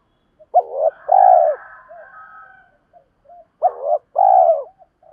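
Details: Cooing of spotted dove decoys, used to call in wild doves and train lure birds: two pairs of rounded, hollow coos, each pair a short note then a longer one, separated by a faint trailing tail and a pause.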